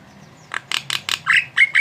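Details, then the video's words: Jalak (starling) in brief song: four harsh scratchy notes in quick succession, then rising and level whistled phrases. "Suara burung Jalak"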